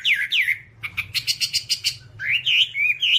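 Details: From a long Hwamei tutoring recording: two downslurred whistles, then a rapid burst of buzzy rasping notes, then sweeping rising and falling whistles; a low hum lies underneath.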